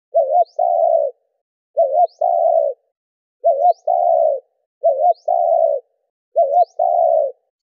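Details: Spotted dove, a cage bird used to provoke calling, giving a low, mellow two-part coo, a short note then a longer rolling one, repeated about every one and a half seconds with a faint high tick.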